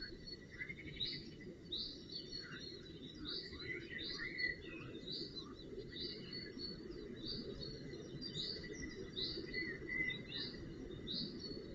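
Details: Goshawk fledglings being looked after at the nest on 4 June 2018 call in a long, fairly regular series of high, strained notes, with some fainter lower notes in between, over constant hiss.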